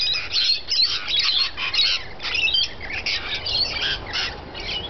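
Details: Feeding rainbow lorikeets produce a steady stream of piercing, scratchy screeches and chirps from several birds at once, rising and falling in loudness in quick pulses.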